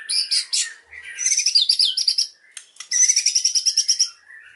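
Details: Energetic white-rumped shama song packed with mimicked cililin phrases. Twittering notes and swooping whistles lead into rapid pulsed trills, with a short pause between runs.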